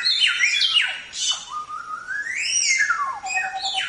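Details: Samyong, the Chinese Hwamei, in tembak-style training song: sharp downward slurs followed by a long smooth rising whistle that peaks and glides back down.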